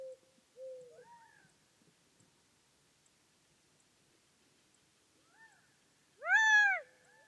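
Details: A Gambel's quail gives quiet short slurred notes, a long pause, then one loud, arching, nasal call with rich overtones, followed by a softer trailing note.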